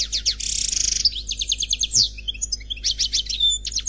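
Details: Single European goldfinch giving continuous Khalwi-style song: a fast buzzing trill, then a varied stream of sharp chirps, slurred whistles and jingling notes without pause, loud and close.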